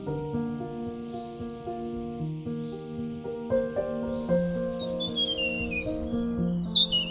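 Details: Songbirds in spring near a marsh, singing to find a mate for breeding: high, bright phrases of a short whistle then a fast run of about six sliding chirps, repeated twice over steady background music.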